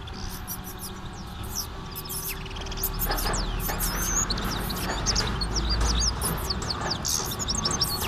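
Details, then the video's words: European goldfinch, recorded in 2016, getting fired up in lively song: rapid, tinkling twitters and high, bright trills run together without pause over a low steady hum. "Jilguero se pica cantando"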